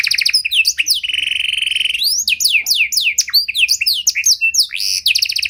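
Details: Panda canary delivering a luxurious, varied song for luring and training fellow canaries: a short trill, a sustained flat whistle about a second long, then a cascade of sharp descending chirps and rapid trills.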